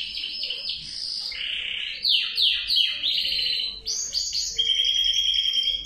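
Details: Male canary in continuous song: rapid chattering trills give way to a run of steep downward-slurred whistles, then a sustained, ringing high trill held steady to the end.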